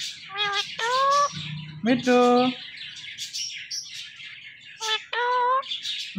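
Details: Talking Indian ringneck parrot producing speech-like harmonic syllables, one longer drawn-out word, with bursts of harsh high chatter between them and a faint low hum.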